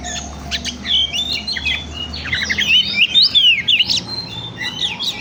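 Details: Oriental magpie-robin song used as a lure to stimulate other birds: a rapid, varied run of sharp chirps, trills and bright whistled notes, rising and falling, with brief pauses and a low background hum.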